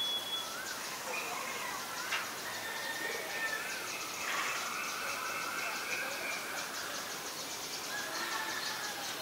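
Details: Common myna in Ubon Ratchathani province, Thailand, February 2022: drawn-out, nasal, harmonic notes and a few sharp squawks, mixed with a fast, faint ticking insect-like pulse and a high thin tone in the background.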